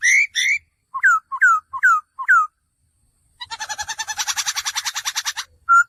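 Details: Male laughingthrush calling: clear whistled notes slurring down, given in a quick series. A long, rapid buzzy chatter of pulsed notes follows, then one final whistle.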